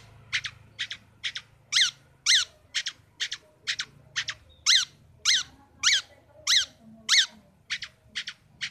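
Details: Long-tailed shrike kept in a cage, singing a chattering series of harsh, scratchy double notes and buzzy falling phrases, about two per second, fairly loud over faint low hum.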